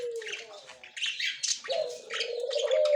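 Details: White male and yellow-green female budgerigars on October 30, 2024; short scratchy chirps and squeaks, briefly pausing, then resuming over a steady low droning tone.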